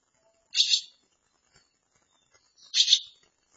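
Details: Barn swallow chicks close to fledging in a handmade nest, provided after nearby nests were destroyed during building. Two loud, harsh, hissing begging bursts about two seconds apart, each under half a second, with near silence between.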